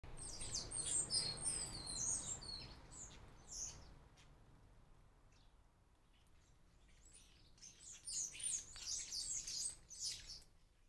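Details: Wild common starlings at a garden bird feeder in the UK, described as noisy, lively and gregarious; bursts of high, squeaky, chattering and whistled notes in two dense spells, first and last few seconds, with a quieter pause between and low background rumble.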